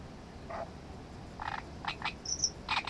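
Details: Great reed warbler song of harsh, creaky notes, spaced at first then quickening into a grating chatter with a thin high squeak near the end, over faint background hiss.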